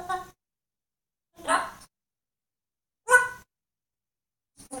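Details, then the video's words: African grey parrot imitating other animals: short, harsh, bark-like bursts about every one and a half seconds, each rough and broad, with silence between them, indoors. "african grey making animal sounds"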